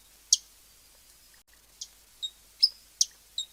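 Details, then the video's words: Hummingbird producing a few isolated high, sharp chips, one loud opening note then a brief gap before several more, spaced irregularly against near silence. "SONIDO DEL COLIBRI// ZUMBIDO// SOUND OF THE HUMMING BRI // BUZZING OF THE HUMMING BIR"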